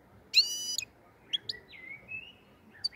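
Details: Black-headed goldfinch recorded around Andijan, Kuva and Fergana, Uzbekistan. A single loud nasal, buzzy note is followed by a few short chips and a thin, wavering, drawn-out whistle over a low hiss.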